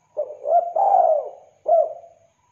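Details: Spotted dove giving a clear, full-voiced cooing phrase meant for lure and tutor use: a brief note, a rising coo, a long smooth falling coo, then a short separate ending coo.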